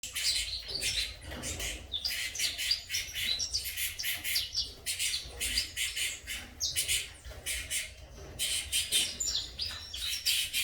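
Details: Saffron finch chicks in a breeding aviary: dense, continuous high chattering and squeaky chirps from several young birds, with overlapping bursts throughout and a low background rumble.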